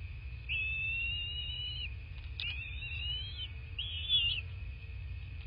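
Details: At a southwest Florida nest on February 26, 2024, morning, a bald eagle utters three drawn-out, high whistled whines, the first longest and the last short and brighter, with a steady electronic tone behind.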